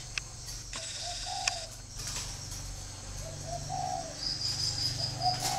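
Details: Spotted dove from a bird farm in Ba Vì, Vietnam, giving soft low coos in short phrases, each two or three notes with a longer end note. The phrases repeat about every two seconds over steady low hum and faint high hiss.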